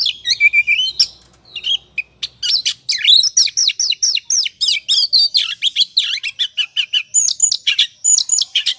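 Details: Oriental magpie-robin in ngobra song, played to provoke another bird to sing: opening slurred whistles, a short lull, then a long, continuous stream of rapid, varied chirps and sweeping whistles.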